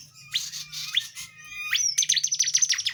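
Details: Energetic tledekan jati flowerpecker, used as a training recording for songbirds like murai batu and kacer: sharp rising high chirps, then a rapid run of bright repeated notes, with a faint low hum beneath.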